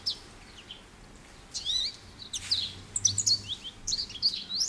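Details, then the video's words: Scattered high twitters and slurred whistles from an American goldfinch over a faint low hum in the background. "American Goldfinch Bird Call Song | Goldfinch Bird Singing | Goldfinch Bird Sounds"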